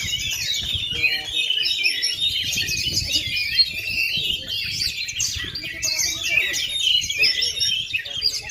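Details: Oriental magpie-robin, a kept bird still singing strongly despite 2.5 years without moulting, keeps up energetic, densely packed high twitters and whistled phrases throughout, with faint low background noise.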